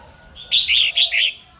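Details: A single lively phrase from a female red-whiskered bulbul singing to rouse males: four rapid, rich warbled notes run together over about one second.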